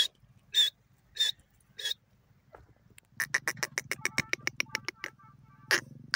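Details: Francolin (teetar) opens with three spaced, scratchy notes, pauses, then breaks into a rapid string of loud grating pulses, with a final harsh note; a low hum persists behind.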